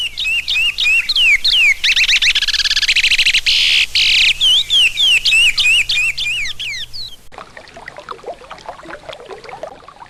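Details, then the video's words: Chestnut-bellied seed-finch singing in the regional Sergipano style: loud, clear whistled phrases with swooping, slurred notes and a brief harsher buzzy passage, then a sudden cut to quieter, scratchier chatter. "canto do curió regional Sergipano"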